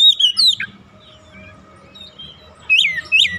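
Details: Oriental magpie-robin, a caged kacer, singing: a few clear whistled notes sliding down from high pitch, a pause, then two loud rising-falling whistles at the end.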